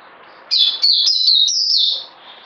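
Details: One sustained, bright warbling phrase from a bird lasting about a second and a half, high whistled notes stepping up and down with hardly a break, in quiet surroundings.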